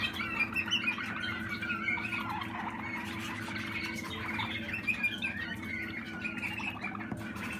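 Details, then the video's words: Young Waterslager canary, 2020 bird, singing rolling warbles and short chirping notes in a continuous stream, low mechanical hum throughout. "Malinois Waterslager Malinua"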